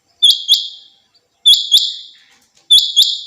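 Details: Female rain quail, known locally as batair, kept as a hobby bird, calling in paired sharp notes, each a quick double chirp with a trailing buzz, repeated about every 1.2 seconds; quiet background.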